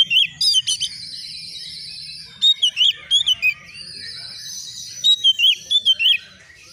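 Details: Oriental magpie-robin, a young newly kept bird, replying emotionally to a rival: rapid bursts of sharp, slurred whistles in quick groups, with steady buzzy tones and soft rising notes behind.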